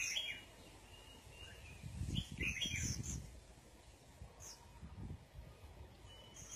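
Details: Red-whiskered bulbul out sunbathing, uttering a handful of quick, bright chirps in the first half, mixed with low rustling and knocking noises nearby.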